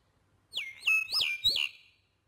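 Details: Talking common hill myna mimicking human speech: three loud, harmonic syllables within about one second, each sweeping down then up in pitch, with a short rising lead-in note, over a nearly silent background.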